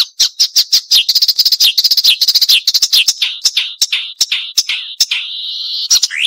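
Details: Marsh warbler's sharp, varied song recorded for training other songbirds: fast, dense chattering and clicking notes run together, then shift into a drawn-out buzzy phrase and a final rising slur.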